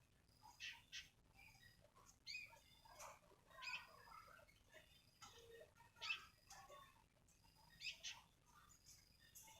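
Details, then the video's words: A single sooty-headed bulbul (kutilang) gives short, bright, chattering phrases with brief whistled notes, each burst about a second apart, separated by pauses over a faint low hum. "seekor burung kutilang"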